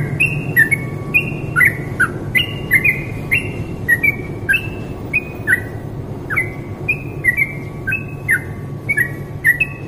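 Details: A yellow-vented bulbul's contest-training masteran song: short whistled notes with sharp clicky onsets, repeated every half second or so, over a constant low rumbling hum of background noise.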